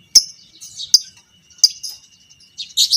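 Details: Fighter lovebird used as a training model for long ngekek chattering: sharp high clicks with short buzzy tails, four spaced notes ending in a harsher double burst, a faint steady tone underneath.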